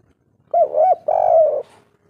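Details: Local spotted dove giving its kuk-3 style cooing: a soft, mellow, low two-part coo, a short wavering note then a longer steady one, in a quiet setting.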